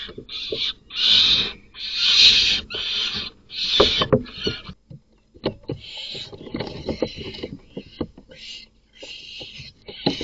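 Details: At night in a nest box, a male barn owl that is not the chicks' father kills them. Long rasping hiss-screeches come in separate bursts, then knocking, scraping and softer broken hisses follow.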